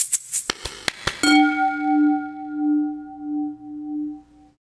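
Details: A few quick chimes and taps lead into a long, sustained bell tone that slowly pulses and fades; no animal voice.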